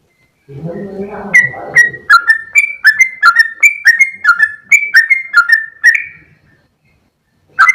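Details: A brief low rustle gives way to a sooty-headed bulbul's rapid gacor ropel song: bright, slurred whistles falling in pitch, about a dozen tumbling phrases in close succession, then silence before one final note.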